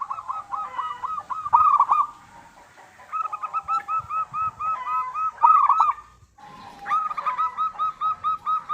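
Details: Local zebra dove singing as a lure to make other doves answer: three long phrases of rapid, evenly spaced cooing notes at mid pitch, separated by short silences, with faint low thumps in the background.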